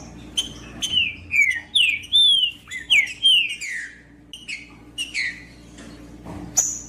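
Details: Green-winged saltator song, played to warm up cold birds and get them singing strongly: loud, clear whistled phrases of slurred notes that drop in pitch, delivered in a quick broken series with short gaps, over faint clicks.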